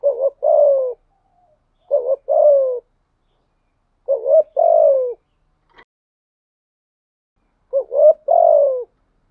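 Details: Decoy spotted dove cooing steadily in a thổ-style voice: four low, soft, two-part coo phrases spaced about two seconds apart, each ending in a falling tone, against a quiet background.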